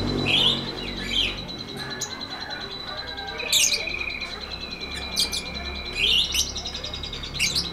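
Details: Lovebird giving 'ngetik ngekek' chatter for training other lovebirds: scattered harsh squeaky bursts and sharp ticks between quieter stretches, over a steady high whine.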